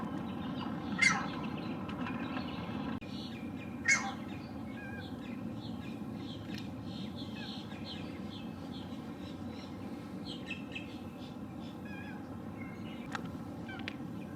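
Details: Two harsh, explosive calls about three seconds apart from a male Green Heron calling from a perch, recorded with a Lumix GH6 and 300 mm lens; softer bird chirps and low rumble fill the rest.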